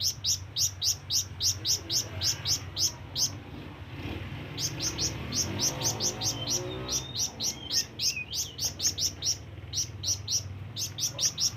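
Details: ['Lively flamboyan bird calling to lure rivals and companions, a long, steady string of sharp, very high chirps delivered rapidly, almost four per second, briefly pausing mid-sequence before resuming.']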